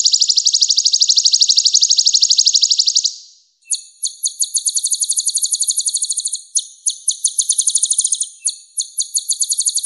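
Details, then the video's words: Purple-throated sunbird, known locally as kolibri ninja, sings in a clear voice: a steady high trill of rapid, even notes for three seconds, a brief pause, then faster stuttered trill bursts in short runs. No other sounds. "MASTERAN KOLIBRI NINJA Suara Bening Kualitas Juara"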